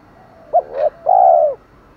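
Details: A spotted dove calls to attract wild birds in the 'thổ' style: a short sharp coo, a wavering middle note and a long smooth final coo, in a single clean phrase.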